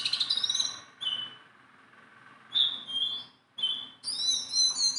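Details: Tame caged Sunda bulbul giving a quick run of pulsed notes, a short whistle, then after a quiet gap several clear slurred whistles and a final burst of high chattering.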